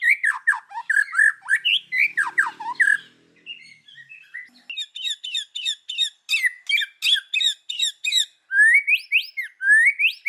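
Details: Forest-style white-rumped shama song of the kéo thuốc lào kind, used to rouse other birds: chattering down-slurred phrases, a soft interlude, then a rapid series of sharp clicks and upslurred whistles.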